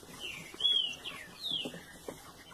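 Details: Mutation green-winged saltator (trinca-ferro) that has not stopped singing since last year: a short phrase of four clear, slurred whistles, some falling, some rising, over faint background hiss.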